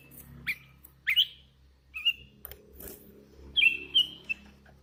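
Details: Sooty-headed bulbul, hand-reared and in full voice, giving short scattered whistles and upslurred notes over a faint low background hum.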